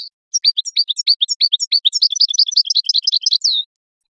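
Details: European goldfinch song used for training songbirds and stimulating breeding goldfinches to mate: a rapid, continuous twittering run of high chirpy notes, roughly three seconds long, ending in a drawn-out, slurred descending note, with no other sounds.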